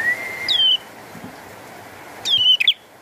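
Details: Bar-winged prinia singing vigorously with rain: two loud, thin whistled notes about two seconds apart, each sliding gently downward and ending in a short flick, over a steady soft hiss.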